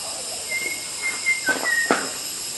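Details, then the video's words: Wild white-rumped shama in Kalimantan forest giving a string of pure, level whistles that step slightly down in pitch, then a short higher note. Soft clicks sound over a continuous high hiss. "Kicau Burung Murai Batu Liaran di Hutan Kalimantan"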